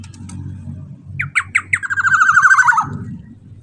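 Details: Loud Black-naped oriole phrase meant to provoke other orioles to sing. It opens with quick staccato upslurred notes, then a sustained raspy, quavering nasal call that falls at the end. A steady low rumble sits beneath it.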